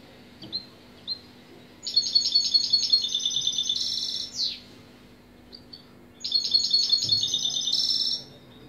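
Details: European goldfinch singing two long phrases of rapid, evenly repeated high metallic notes, each ending in a buzzy trill and a quick downward-sweeping slur, with a pause between phrases and a few soft chirps.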